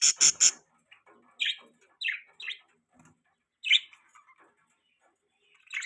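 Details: Pet budgies chirping: a burst of three sharp broadband clicks opens, then scattered short bright chirps and soft chatter notes with quiet gaps between them.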